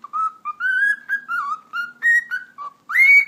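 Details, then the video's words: A pet cockatiel mimics a Turkish spoken phrase ("eşek sıpası"), rattling off about nine quick, reedy whistled syllables in three seconds and ending on a higher, rising note. "Sultan Papağanı Konuşması - Eşek Sıpası Diyor"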